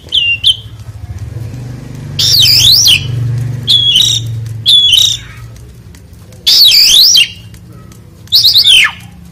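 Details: Asian pied starling (jalak suren) singing loudly while being bathed: loud, harsh whistled notes swooping up and down in short bursts, separated by pauses, over a low background hum.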